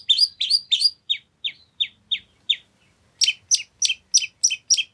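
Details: Lively long-tailed shrike song with imitation fill-ins, meant to lure a shrike into answering: loud downslurred whistled notes, softer evenly spaced falling chirps, then a run of sharp buzzy notes about three per second.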